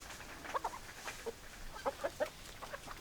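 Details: Chickens, hens and roosters, clucking: short, soft clucks scattered irregularly, some in quick pairs, over a hissy background.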